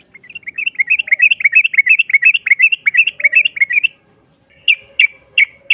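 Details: Yellow-vented bulbul giving a long rapid trilled song, used as a lure to provoke a rival into answering; fast bubbly chattering notes run for about four seconds, then a pause and three louder separate chirps.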